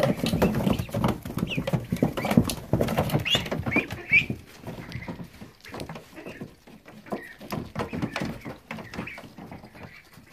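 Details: Day-23-old ducklings in a brooder give soft, high, rising-and-falling peeps over loud pecking, dabbling and rustling as they eat a snack of lettuce and peas.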